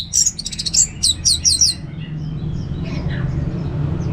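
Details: Orange-headed thrush, kept in Singaraja, northern Bali, delivering a quick series of about eight sharp high chirped notes in under two seconds, then softer faint twittering over low rumbling hum.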